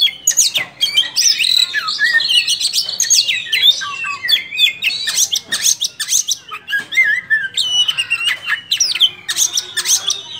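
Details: Oriental magpie-robin singing energetically in ngobra display style: a rich continuous stream of varied whistles, chirps and rapid warbled phrases, sweeping up and down without pause.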